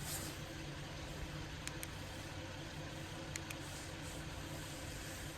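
A vehicle idles steadily with a few brief clicks and knocks, and no animal sound stands out.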